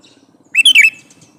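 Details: Male sooty-headed bulbul calling to a female, uttering a single fast phrase of three bubbly, downslurred notes over faint background hum.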